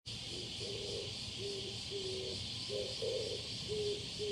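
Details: A male Oriental turtle dove, recorded close by on 21 July 2022, gives low, hoarse cooing notes in a steady repeated rhythm over a constant high, hissing buzz of insects.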